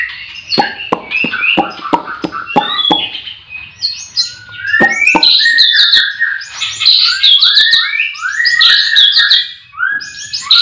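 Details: Morning chorus in a breeding aviary where caged white-rumped shamas and other birds sing. A series of sharp, clicking notes gives way to rich, fast, varied whistles with many downslurred phrases.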